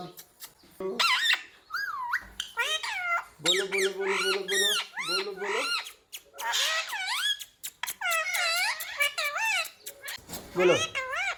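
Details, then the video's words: A talking ringneck parrot repeating words such as "mummy" and "papa": a long, busy string of looping, rising and falling syllables, with a steady low buzzy stretch in the middle and sharp clicks between phrases. "Ringneck parrot talking sound mummy, papa, mithu"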